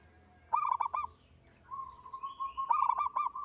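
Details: Local zebra dove, a single singing bird used as a prompt for other birds; a stuttering coo phrase, then a long steady tone leading into another rapid burst of coos, with faint high chirps behind.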